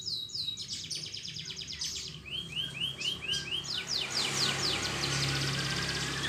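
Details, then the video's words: Canary singing vigorously, a recording used to stimulate canaries that have stopped singing: quick falling chirps, a row of rising swoops, then rapid trills fading under a rising hiss of noise. "PANCINGAN BURUNG KENARI GACOR ADA JEDA"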